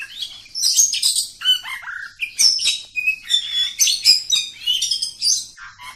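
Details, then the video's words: Long continuous oriental magpie-robin song in 'ngacor' style: a steady stream of varied piercing whistles, clear level tones and scratchy chatter with barely any breaks. "Kacer Kampung. Super Ngacor panjang"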